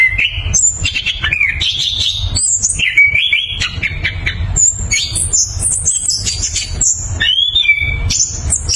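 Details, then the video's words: Orange-headed thrush in full song, a fast, unbroken stream of rich whistles, slurred trills and squeaky notes, shifting pitch constantly, over a low background hum; used as a lure for orange-headed thrushes that have stopped singing. "ANIS KEMBANG GACOR NGEROLL POWER JERNIH"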